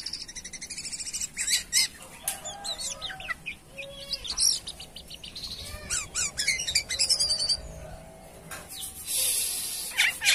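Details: Actively singing (gacor) jalak kapas myna giving a quieter, broken run of scratchy chatter, short whistled notes and dry rattling bursts, ending in a loud hissing rasp.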